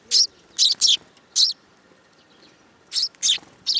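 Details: Fledgling sparrows on a hand at a shrine, July 2022, chirp in quick pairs and triplets of short high notes, with a silent gap in the middle.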